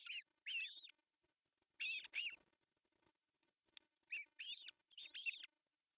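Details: At a nest in Pohjois Satakunta, Finland, on June 10, 2024, an osprey calls as the male brings fish for breakfast: loud, high, strained whistled squeals in clustered pairs, with faint nest rustling underneath.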